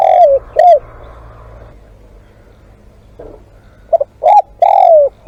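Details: Spotted dove used as a live decoy for luring, giving low hoarse coos: two short notes at the start, then a broken phrase of rising and falling coos near the end after a quiet gap.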